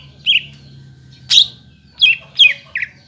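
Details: Greater green leafbird song for provoking other leafbirds to sing: a few scattered loud whistled notes, some downslurred, others short and buzzy.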